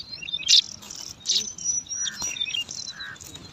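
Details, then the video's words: Bar-winged prinia nestlings, five chicks in a nest in alang-alang grass, jostling for food: high thin squeaks and sharp chirps, two loud bursts near the start, then softer overlapping peeps and a few lower buzzy notes. "Lima Anakan Burung Ciblek Rebutan Makan"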